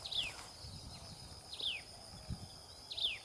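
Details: Common tailorbird with its chicks; three clear chirps, each sliding quickly from high to lower pitch, spaced about 1.4 seconds apart, with insect hum and a soft thump in between.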